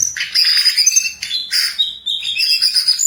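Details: Jongkangan bird singing actively: a dense run of high, sharp chirps and twittering notes in bursts with brief pauses around the one- and two-second marks, the phrases quickly resuming; no other clear sounds.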